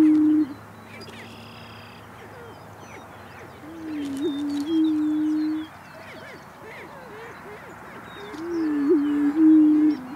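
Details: Endangered greater prairie-chickens in Missouri, several males dancing and fighting to attract mates, boom: low, hollow, moaning hoots about two seconds long, overlapping, with scattered cackles and chatter behind.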